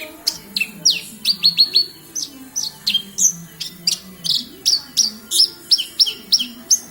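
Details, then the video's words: Persistent song of a Javan bush lark from Kediri, with crisp high notes in quick succession, about three per second. Some notes are bright down-slurs, others short clipped chips, against a low rumbling background hum. "Branjagan gacor"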